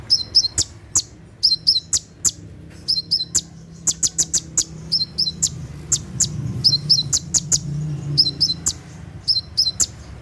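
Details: At night, a brown-throated sunbird (kolibri ninja) delivers rapid 'tembakan' bursts: very high, sharp ticks and paired chirps in quick clusters with short pauses. A faint low rumble runs underneath.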